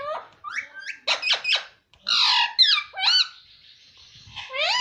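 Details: Pet parrot said to be talking mummy: a busy run of chirpy, harmonic syllables, short clicks and a longer raspy phrase, with pitch swooping up and down throughout.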